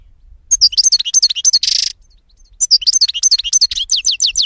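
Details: A European goldfinch sings lively, high twittering phrases of sliding chirps, with a brief buzzy rattle between them and a soft low hum beneath.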